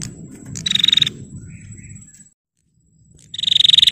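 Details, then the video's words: A female bar-winged prinia provoking males: a half-second rattling buzz, a short silence, then a second fast-pulsed buzzy burst, with a high steady whine in the background. "Suara Prenjak Betina Gacor Tarung Pancing Prenjak Jantan Biar Gacor"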